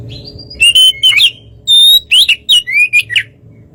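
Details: White-rumped shama song aimed at provoking another bird: a few bright whistled notes, one long and level, others dropping, in a short burst over a low background hum.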